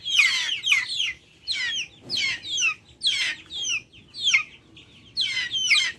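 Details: Noisy backyard chickens, recorded raw outdoors: a run of high, piercing, falling chirps in separate bursts about every half second to second, some doubled, with a faint low background noise.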